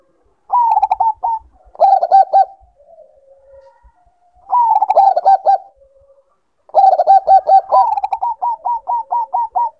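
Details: Bangkok-type zebra dove in breeding condition, with repeated bursts of rapid staccato cooing. Near the end a second, higher run of evenly spaced clipped notes overlaps, suggesting two birds answering each other.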